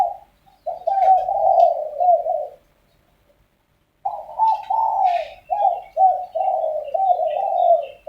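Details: Spotted doves squabbling in the morning give two bouts of dense, rolling coos separated by about one and a half seconds of quiet. Faint higher chirps flicker above the cooing.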